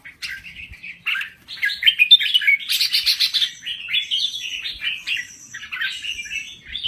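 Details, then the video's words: Thai red-whiskered bulbul singing energetically, a continuous run of rapid chirpy warbles and sharp notes with a brief gap near the start, no other sounds. "Kicau Burung Merbah Jambul Gacor"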